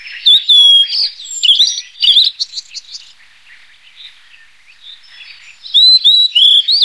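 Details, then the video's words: Blue-and-white flycatcher song: bursts of bright whistled and slurred notes with fast trills at the start, a quieter softer warbling passage in the middle, then a return of loud swooping whistles repeated several times at the end. "白腹琉璃(白腹藍鶲)/Blue-and-white Flycatcher"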